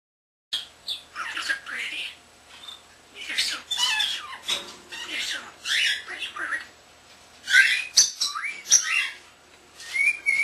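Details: Young captive common starling, under a year old, indoors, chattering a rapid run of speech-like mimicked phrases, squeaks and sharp high clicks in bursts, with short pauses between phrases.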